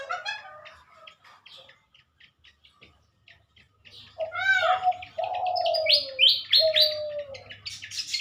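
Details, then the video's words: Morning pied fantail song from a pair being matched in captivity for breeding and release, Indonesia, 2023: scattered high ticks, then a busy stretch of rising squeaky notes and long, low, sliding whistles, over a low electrical hum. "burung Sikatan Kipas suara khas di pagi hari"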